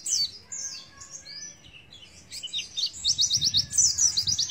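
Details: Oriental white-eye singing in the 'nembak isian' style: high, thin chirps and short trills, then a rapid run of sharp clicked notes near the end. A faint low hum sits underneath.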